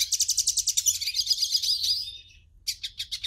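A hooded siskin sings a fast, high, twittering song: rapid repeated chirps running into a buzzy warbled trill, then a brief pause and more quick notes.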